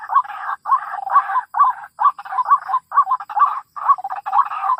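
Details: White-breasted waterhen call used as a lure for bird trapping: a dense run of loud, harsh, mid-pitched notes repeated rapidly in uneven pairs and groups, with short silent gaps, on a clean background.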